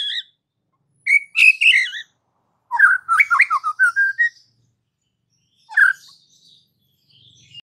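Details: White-rumped shama song said to make other shamas rage and sing: a harsh, high chattering phrase, then a quick jumble of whistled notes rising at the end, and one short note after a pause.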